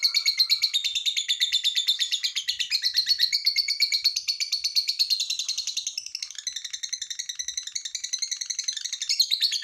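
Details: A lovebird's long ngekek, used to coax other lovebirds into song: nearly ten seconds of continuous, fast, buzzy high trilling with evenly pulsed beats, dipping slightly in loudness midway.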